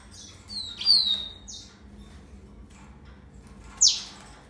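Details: Yellow-fronted canary (Serinus mozambicus) giving a brief high, twittering phrase of sweeping whistled notes near the start, then a single sharp high note about three seconds later, with quiet gaps between.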